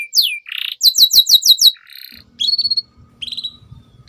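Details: Canary song for training young birds: a falling whistle, a burst of rapid repeated high notes, short trills, with faint low background noise.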